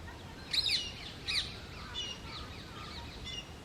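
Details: Indian grey hornbill giving strange, weird calls: two loud squealing, wavering notes about a second apart, followed by fainter high chirps, over steady low background noise.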